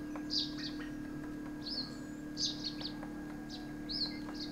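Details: Himalayan Woodpecker, also called Himalayan Pied Woodpecker: short, sharp, high chirping notes given in small bursts roughly every second, with a steady low hum and faint ticking in the background.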